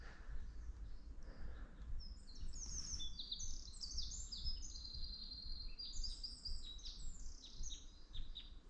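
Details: Eurasian wren on a sunny early-March morning walk, 8 March 2024, sings its textbook song, a loud, rapid, high-pitched run of trills and sharp notes lasting several seconds, over a steady low rumble of wind or distant traffic.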